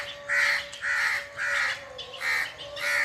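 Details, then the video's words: Five hoarse, broad cawing calls from a bird in the forest, evenly spaced about half a second apart, over a faint constant background tone. "the original sound of birds under the forest"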